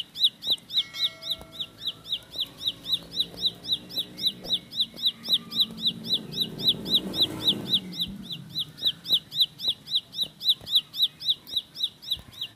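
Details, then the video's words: Long continuous rolling song of a bar-winged prinia: sharp high descending whistles repeated nearly four times a second for over twelve seconds, with a low hum swelling in the middle. "Tembakan Roll Spead Ciblek Lagu Full Kolibri // Ciblek Sawah/Ciblek Pari"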